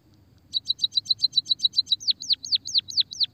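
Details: White-headed munia song used to lure and encourage silent munias: a brisk train of high chirps, then a string of slower, drooping swoop notes.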